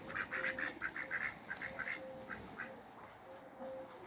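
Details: Pekin ducks, three of them, meeting in a backyard: a quick burst of clipped nasal quacks in the first two seconds, then sparser quacks with a thin whistled tone recurring beneath.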